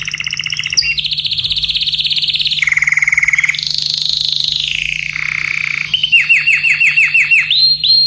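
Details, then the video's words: Excited yellow canary singing: long fast trills at shifting pitches, a sliding buzzy glide, then a series of rapid, bright descending chirps, with a steady low hum in the background. "تغريد كناري أصفر"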